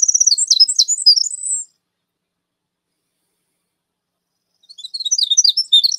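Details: Winter Wren (Troglodytes hiemalis), the smallest wren, pours out a powerful, rapid high tinkling song of trills and bubbling notes, in two bursts separated by a few seconds of silence.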